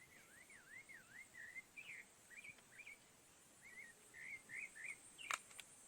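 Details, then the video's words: Sabiá (thrush) singing in spring in Brazil: a run of clear, wavering whistled phrases, mid-pitched and varied, with short pauses between them; a sharp click sounds near the end. "Estão ouvindo o canto da sabiá?"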